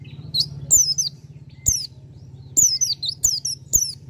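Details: Bar-winged prinia singing: short, sharp, high chirpy phrases of quick downslurred notes, given in bursts about every second, over a steady low mechanical hum.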